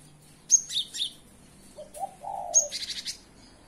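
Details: Cinereous tit singing in the morning: two bursts of high, sharp chirping notes in quick clusters, with a low dove-like coo between them.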